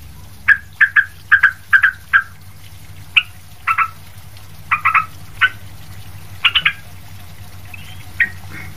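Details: Sooty-headed bulbul (trucuk) singing energetically as a training model for other birds: brief fluty double and triple notes in loose bursts, with gaps and a low background hum.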